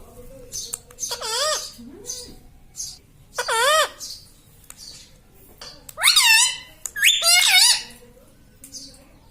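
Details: Talking pet parrot, said to say "mummy" and "mitthu mitthu": spaced bursts of wavering, harmonic, speech-like phrases dipping and rising in pitch, with quiet gaps and faint clicks between them.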